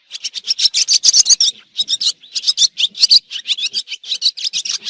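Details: Swallow sounds in a 2023 recording: rhythmic, rasping high chirps repeated several times per second in steady bursts with short gaps.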